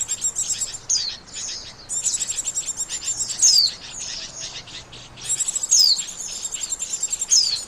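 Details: Lure call of the Oriental white-eye for catching birds: repeated bursts of fast, high, twittering chirps, each marked by a sharp downward whistle, with brief pauses between bursts.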